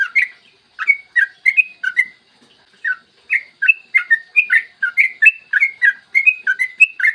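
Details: Yellow-vented bulbul in clear morning song, long rapid series used to make other bulbuls sing quickly: short bursts of gurgling chirps, a short gap, then a long quick run of notes.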